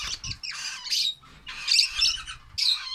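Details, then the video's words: Baby lovebirds giving harsh, raspy squawking bursts in three noisy clusters about a second apart, rough and broadband, with brief quiet gaps between. "love birds baby"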